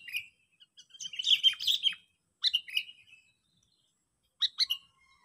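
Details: Sooty-headed bulbul challenge call used for luring: a dense, fast run of bubbly chirps, then shorter warbled phrases and a final pair of sharp notes separated by silence.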